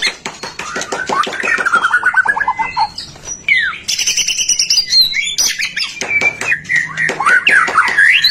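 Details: White-rumped shama singing to prompt other shamas into song: rapid descending note series, then rich whistled slurs and high sweeping phrases mixed with harsh scratchy bursts, continuous and loud.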